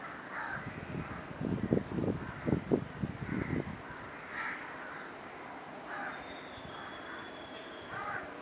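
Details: Great-billed heron at Sungei Buloh, Singapore, giving a low rasping run of about seven throaty croaks over two seconds, then quiet; afterwards several short, higher crow-like caws sound at intervals in the background.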